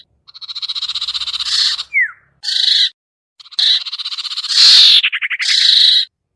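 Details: Iora lure sound, sertu or cipoh, used to coax shy birds down: pulsed buzzy phrases, a sharp downward-slurred note, then a quick rattling trill before a final buzz.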